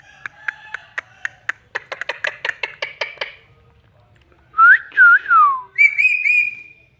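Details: Excited ringneck parrot: a quick run of sharp clicking whistle notes speeding up, then a pause and several loud clear whistled phrases that swoop up and down, ending in a long level whistle.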